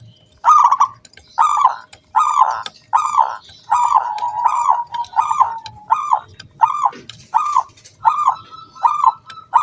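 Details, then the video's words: Local wild zebra dove singing energetically, used as a lure to coax other doves into song; a steady run of about twelve clipped, ringing, arched coo notes, roughly one per second, with one drawn-out level note mid-sequence. "SUARA KRISTAL KUNG BULAT PANCINGAN SANGAT AMPUH BURUNG PERKUTUT GACOR MANGGUNG"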